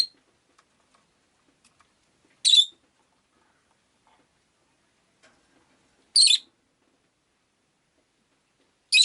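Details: Three piercing, high, harsh squawks from a pet rosy-faced lovebird, spaced nearly four seconds apart, in otherwise near silence.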